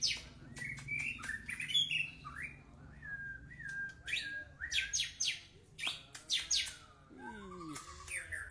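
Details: White-rumped shama in a varied song that mixes sweet mid-pitched whistles, very high buzzy bursts and fast trills. It ends with a lower, rising-and-falling harmonic phrase.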